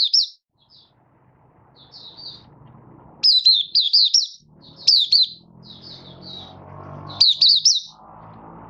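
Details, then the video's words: Malaysian Oriental white-eye kept as a caged songbird, in minor moult, singing its 'buka sing' on 24 August 2023: quiet high chips building into three loud bursts of quick, twisting whistles over a low mechanical hum. "Malaysian Mata Puteh Buka Sing"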